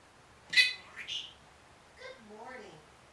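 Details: Pet Senegal parrot, one year old, mimicking human speech such as "good morning" and "I'll be back": a sharp high squeak, then a quieter run of wavering, speech-like tones dipping lower in pitch, indoors with little background noise.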